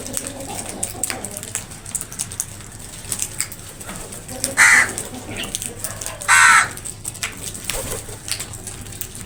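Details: Crows squabbling over food give two loud, rasping caws close together, with quieter clicks and rustles in between.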